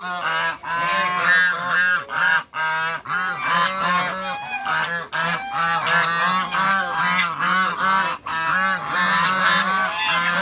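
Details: Continuous chorus of loud, nasal, overlapping honks from a flock of African and Toulouse geese meeting newcomers, about two calls a second with barely any gaps.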